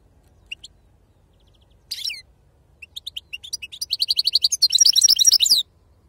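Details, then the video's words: European goldfinch singing in an authentic wild 'khalwi serfati' song style: sparse high chirps, then a buzzy burst, building into rapid repeated twittering notes and a dense tinkling trill before stopping. "أفضل تغريد بندوق حسون خلوي أصيل"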